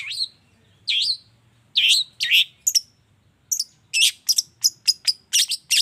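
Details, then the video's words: Long-tailed shrike morning lure to stir shrikes into singing: rising squealy notes separated by pauses, then an accelerating burst of sharp, high, scratchy chirps. "suara pancingan cendet cendet di pagi hari YANG BIKIN CENDET MACET sekalipun IKUTAN BUNYI toet toet"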